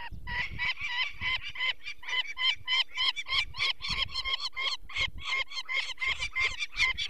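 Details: Peregrine falcon alarm as people take one of four nestlings, which has eye problems, Barycz Valley, Poland, 2 May 2023. There is a sustained rapid series of raspy cackling notes, roughly three per second, with low rumbling underneath.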